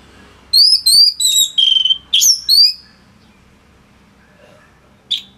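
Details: Orange-headed thrush singing a loud clear phrase for tutoring other songbirds: a quick string of rich whistled notes sliding slightly downward, then a pause and one final sharp note.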